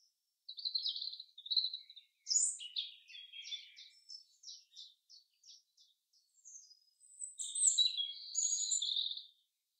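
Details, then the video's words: Common chaffinch in the forest: brief high notes, then a series of short, evenly spaced chips stepping along for several seconds, closing with a loud, fast, ringing phrase. "Beautiful Song of the Chaffinch in the forest"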